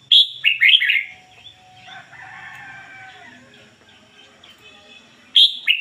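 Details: Red-whiskered bulbul used as a decoy, singing ngoi bổi style: a loud burst of sharp, slurred whistles, softer scattered chirps in the gap, then the same bright phrase starting again five seconds later.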